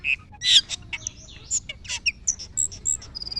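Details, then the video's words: Asian glossy starling in gacor song gives a rapid mix of short high whistles, squeaky chips and brief buzzy notes, closing with a fast series of thin repeated ticks. "Cucak keling gacor"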